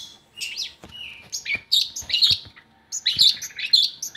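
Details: Long-tailed shrike singing, meant to coax lazy shrikes into song: varied scratchy, warbled phrases mixed with clicks, delivered in short bursts separated by brief gaps.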